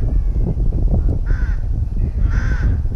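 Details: Rooks at a nest in a breeding colony near Tyrnovo: two harsh, hoarse caws, the first short and the second longer and rasping, spaced about a second apart over a loud low rumble of wind or handling noise.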